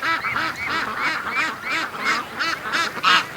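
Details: Domestic ducks rushing from their pen to the creek in the morning after being held back an extra hour; loud harsh nasal quacks repeated about three per second in a steady, excited chorus.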